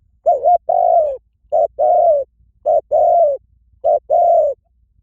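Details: Loud, close spotted dove calling in a steady rhythm. Four phrases in five seconds, each a short note followed by a longer, warm, gently falling coo, with quiet pauses between.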